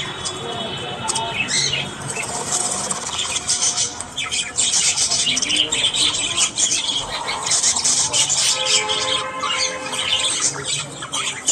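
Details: Morning chatter of budgerigars: many high scratchy chirps and squawks interwoven with short whistled and warbled notes, steady and continuous throughout.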